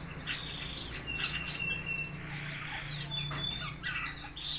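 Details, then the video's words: Four-month-old red-eyed fig bird learning to chirp, giving a busy series of sharp, high twittering chirps with a few short thin whistles, set against a constant low droning hum. "burung ara mata merah umur 4 bulan belajar ngeriwik"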